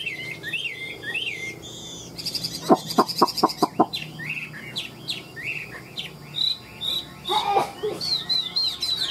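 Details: Tame captive Chinese hwamei of the 'ngũ trường' song style giving looping whistled phrases, broken by a fast run of loud dry clicks near the middle, then more fluid warbling.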